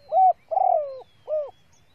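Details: Lure call of a female spotted dove meant to excite males: three mellow coos, a rounded note, a long quavering coo sliding down, and a final short coo, with faint thin high notes in the background.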